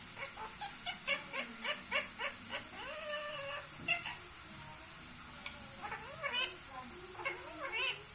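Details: Rapid chatter from an Indian ringneck parrot: a quick series of clipped, repeated chirps, then longer rising and falling whistled notes and a few scattered squeaks over a constant faint hiss.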